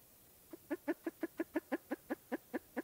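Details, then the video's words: Spruce grouse calling: a rapid run of about twelve short, harsh, nasal clucks with rich harmonics, evenly spaced about six per second, with a quiet background. "Spruce Grouse Bird Call"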